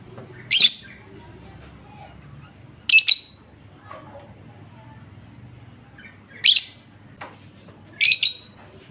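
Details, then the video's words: Lure sound for prompting lovebirds to reply. Four sharp, scratchy high chirps come at irregular gaps of one to three seconds over a soft low background rumble. "Apapun jenis Lovebird mu, pasti langsung nyaut seketika dengar suara pancingan ini"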